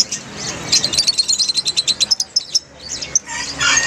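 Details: Many lovebirds together, a chorus used to coax a silent lovebird into singing: dense, high, sharp chirps in rapid bursts, with a run of evenly spaced ticking notes in the middle.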